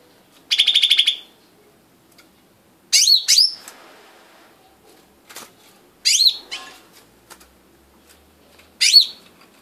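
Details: Blue-winged leafbird, called daun sami locally, producing a fast buzzy trill followed by repeated sharp curved whistled chirps about every three seconds, with faint clicks between.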